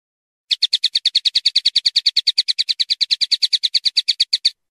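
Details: Rapid, steady series of buzzy twittering notes from a common linnet, about six per second and sustained for four seconds without a break, in a quiet setting.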